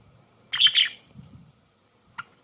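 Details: Budgerigars outdoors while eating parsley: a quick pair of bright, sharp chirps about half a second in, then a single short chirp near the end, with quiet surroundings in between.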